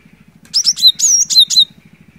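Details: Lively cinereous tit phrase of six quick, high, ringing whistles, a few slurring down, over a soft low rhythmic throb; recorded to coax a silent bird into singing.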